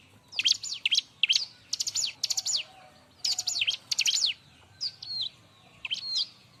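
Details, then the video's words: Bar-winged prinia delivering loud busy song for training other birds: groups of rapid zigzag high notes in bursts, ending with a few separate hooked whistles; faint low hum behind. "suara r!but burung ciblek-cocok untuk masteran"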